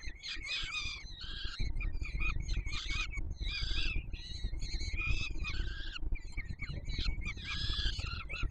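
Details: Peregrine falcon nestlings in Warsaw beg as the adult male feeds them, July 2022; dense, harsh, overlapping screams in near-continuous bursts with brief pauses, with low steady rumble underneath.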